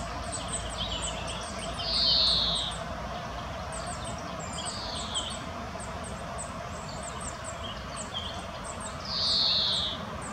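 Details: Common chaffinch female searching for food in the Botanical Garden, Munich: two bright, high, slightly falling whistles about seven seconds apart, amid frequent thin chirps from other birds and constant low ambient noise.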